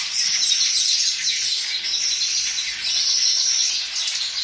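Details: Baya weavers (Ploceus philippinus) nesting in a coconut tree chatter in a dense, continuous, high-pitched wheezy chorus of many overlapping birds, with no other clear sounds.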